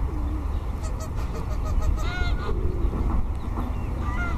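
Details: Swans giving short nasal honks with rich overtones, a faint call early on, then a clear burst near the middle and another toward the end, over a steady low rumble of background noise.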